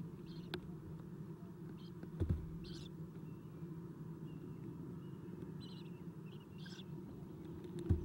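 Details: Nest-camera recording of owlets being fed at 7:04 am, 11 April 2016: scattered brief high rasping squeaks spread through the recording, with a few soft knocks and a constant low hum.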